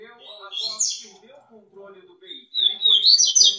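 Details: Double-collared seedeater singing loose outside its cage, giving quick, high, buzzy twittering bursts, with a lower voice or music running underneath.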